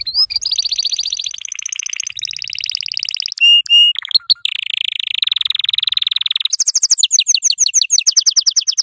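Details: Yellow canary singing as a tutor for young canaries, delivering long buzzy rolling trills at changing pitches, broken by a few sharp whistled notes, then shifting into quicker repeated chirps.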